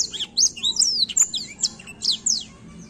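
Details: Black-throated canary, a prolific rolling singer used to rouse young canaries: a brisk run of sharp, high, sweeping chirps and warbled notes delivered without pause.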